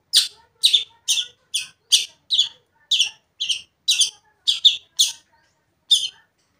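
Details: Harsh, grating notes from a long-tailed shrike singing to provoke another shrike, delivered in a steady series roughly every half second, some doubled, with a longer gap before the last note.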